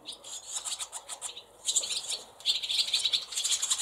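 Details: A brood of barn swallow nestlings in a cowshed holding several nests, 28 July 2024, gives a busy chorus of thin, high, squeaky chirps in rapid overlapping bursts, with a brief lull before the calling swells again.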